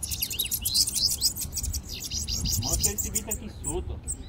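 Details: Several bananaquits gathered together by keepers, some caged; rapid, high, thin chirps and buzzy trills overlap continuously, with lower chirps toward the end and steady background noise.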